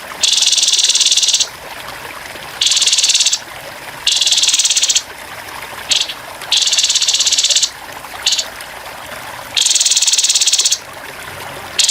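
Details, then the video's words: Rough 'tembakan kasar' bursts of a grey-headed babbler over gently trickling water, recorded for training songbirds: dense buzzy rattles about a second long alternating with short clipped bursts, seven or so in a row. "TEMBAKAN KASAR BURUNG TEPUS KEPALA ABU"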